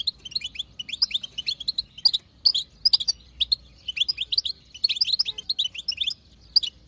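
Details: Batbata, the chatter of a wild female European goldfinch used to make males sing: dense, nearly continuous run of bright, tinkling high chirps and twitters across the whole stretch.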